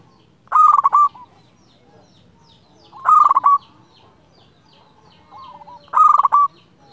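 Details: Local zebra dove in full, clear-voiced song, described as calling out a rival and used to lure other doves: three cooing phrases about three seconds apart, each a soft lead-in then quick stuttered pulses ending on a clear held note; faint low hum.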